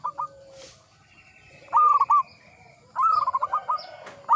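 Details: Local Javanese zebra dove, Mataram 'ngepat' rhythm style: short phrases of a loud coo plus clipped notes, the longest near the middle, with softer background cooing.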